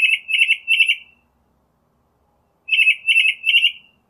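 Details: In nature a Northern mockingbird repeats the same phrase twice, each of three rapid warbled notes held at an even pitch, with a long gap between the phrases.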